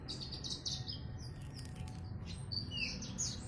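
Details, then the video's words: Bushlark singing in the ngiriwik style: thin, high chirps and short squeaky notes, some sliding downward, strung together quietly over a steady low hum. "Burung branjangan gacornya ngiriwik"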